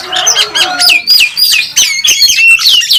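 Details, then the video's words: Champion Oriental magpie-robin singing in a full-filler fighting display on the contest track. Loud, clear whistled slurs drop steeply in pitch and repeat in quick succession, about three or four each second, after a few lower warbled notes. "Burung Kacer Tarung Ngobra ngotot saat di trek | kacer juara 1 nasional | Kacer gacor full isian"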